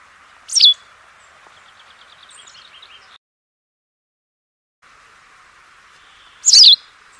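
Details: Singing White wagtail (Motacilla alba): two loud, sharp, high chirps about six seconds apart. Between them comes a faint run of soft, quick ticking notes, all over a constant background hiss.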